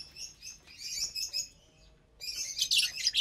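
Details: Lovebirds chirping during a Saturday morning meal on April 30th, 2022, eating vegetables and seeds; bursts of high, sharp chirps, a quiet pause, then a dense louder flurry of overlapping tweets.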